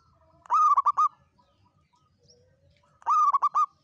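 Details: Local zebra dove lure song, long kuk style for trapping: two loud phrases about two and a half seconds apart, each a rising opening coo followed by three quick dipping notes, faint background hum.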